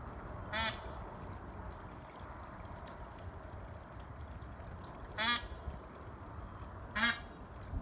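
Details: Peafowl calling to others from a roof: three loud, nasal, honking calls, each short and rich in harmonics, spaced a few seconds apart over a steady low background rumble.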